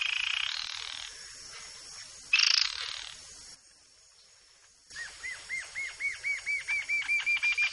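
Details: A yellow-billed jacamar in Brazil gives a quickening run of about fourteen high, slurred whistles that climb slightly in pitch, following a hiss of background noise and a brief loud burst.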